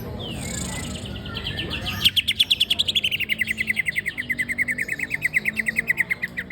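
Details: Greater green leafbird kept as a songbird, singing before being hung up: a fast, even trill of clipped notes that starts high and slowly slides lower, over steady background hiss.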